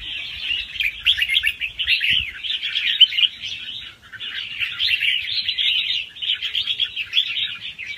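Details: Young wild red-whiskered bulbul, fast-round song with doubled phrases intended to excite listening birds; bubbly warbled notes run almost without break, a short dip around the fourth second.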